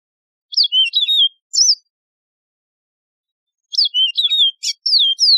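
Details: Wild Mozambique serin, Yellow-fronted canary, repeats a lilting phrase of high falling and rising whistles, a short burst, a pause of two seconds, then a longer run of the same notes.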